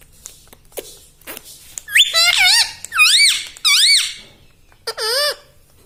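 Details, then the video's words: Talking parrot, a pet, gives a few soft clicks, then four loud, squeaky, wave-shaped syllables, each dipping and rising, with a final shorter one after a brief pause. "Talking parrot || mitthu mitthu || tota || Bolne wala tota"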